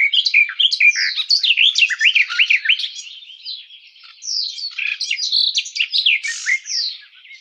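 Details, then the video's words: Garden warbler singing a rapid, bubbling warble of slurred whistles and chattering notes, slightly quieter in the middle, then strong again, with no other sounds. "Как поёт Славка садовая Sylvia borin"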